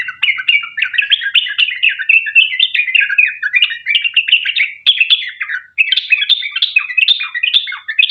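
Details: A sooty-headed bulbul pours out a long, unbroken 'ropel panjang' song used to coax other birds into singing; busy, bubbling chirps tumbling at a quick pace, briefly pausing near the end.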